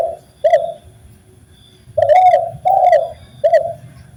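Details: Spotted dove song, from a recording meant to train birds to sing: a short coo, then a phrase of three coos, the middle one longest, each gently rising then falling.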